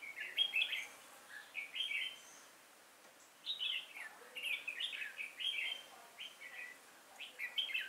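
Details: Red-whiskered bulbul decoy, recorded 5 October 2018 during trapping of wild birds: loud bright warbled phrases in quick bursts, a one-second pause, then a further series of chirpy slurred notes.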